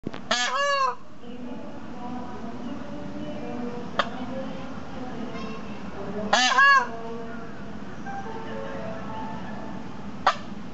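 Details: Female and male Indian peafowl calling to each other at Maruyama Zoo: two loud, harsh, nasal calls about six seconds apart, each a brief wailing burst, with softer honks and a low background murmur between them.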